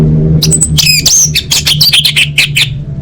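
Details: Orange-headed thrush singing a full-fill contest training song: a rapid, unbroken string of sharp, high, chattering and looping notes with fast pitch sweeps, backed by a faint low hum.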